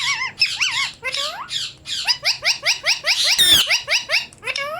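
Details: Pet parrot imitating the greeting "Assalamu alaikum": a rapid series of squawky, speech-like syllables with rising and falling tones, plus one sharp, harsh burst near the end.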